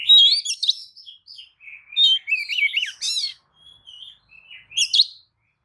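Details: Oriental magpie-robin singing a provoking lure song: a varied sequence of sweet whistles, twisting warbles and a strong buzzy chord, separated by short gaps, in a clean quiet setting.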